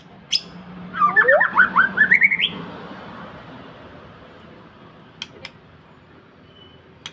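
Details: White-rumped shama singing vigorously, kept to lure other birds: a quick run of clear whistled notes, rising and falling in a tight jumble for about a second and a half, then quiet with a few sharp clicks.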